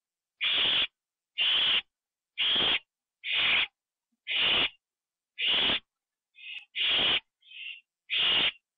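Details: At 9:54 PM on October 9, 2011, an owl in a nest receives a delivered bird and eats it inside. Steady run of loud, breathy hissing bursts about once a second, with a couple of softer rasps near the end.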